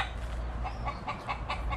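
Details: Backyard chickens in Grand Cayman, Cayman Islands, in the afternoon, with roosters also present: hens give a quick run of short, mid-pitched clucks, several per second, mostly in the second half, over a steady low rumble of wind.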